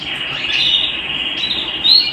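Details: A canary sings indoors, holding a steady high trill that wavers slightly, with a short rising note near the end; light background hiss.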